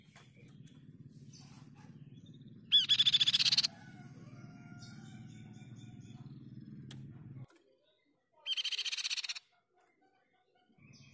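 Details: Crescent-chested babbler giving two loud, dense bursts of fast, buzzy, high chatter, each about a second long and several seconds apart, over a steady low mechanical hum.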